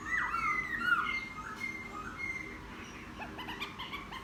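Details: Wild-caught laughingthrush after ten days in captivity, singing more readily after bathing: a loud, warbling whistled phrase with rising and falling slurs, trailing into softer, thinner notes and quiet chatter.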